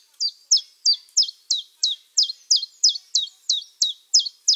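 A common chiffchaff repeats bright, high, down-slurred notes about three times a second in a steady, slightly uneven chiff-chaff rhythm. No other sounds are heard.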